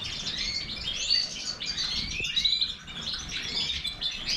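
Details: Major goldfinch producing quick, high chirps and liquid twitters strung into a continuous song, with a short quieter gap near the end.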